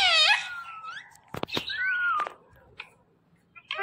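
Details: Indoor Indian ringneck parrot gives a loud, wavering, meow-like wail, then a few sharp clicks and a slurred, falling whistled phrase, ending with a brief squeak.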